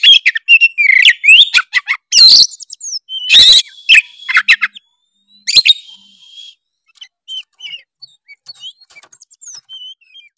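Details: Oriental magpie-robin, Tretes type, singing to provoke other birds: dense bursts of loud whistles and harsh notes in the first six seconds, then quieter, thin, high, scattered chirps and slurs toward the end.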